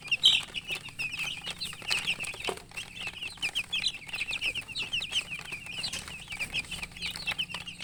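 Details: A brood of chicken chicks chirps nonstop, high, short peeps in quick succession, a louder shrill burst at the start, with scattered clicks and pecking-like taps.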